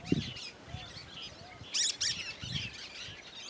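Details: Wild cactus parakeet singing free in the sertão of Bahia, in the Caatinga: scattered high chirps, then two loud harsh screeching bursts close together near the middle, over low rustling thumps.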